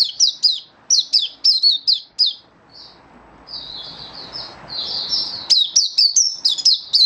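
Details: Song display of an Oriental white-eye from 24 February 2023: bursts of sharp, high descending chirps, a brief softer warbled stretch in the middle, then another rapid string of bright notes.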